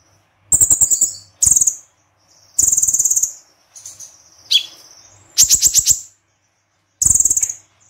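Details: Konin singing a spicy tembakan combination: repeated high, rapid rattling trill bursts, a softer twittered section and a falling chip, each burst lasting about half a second.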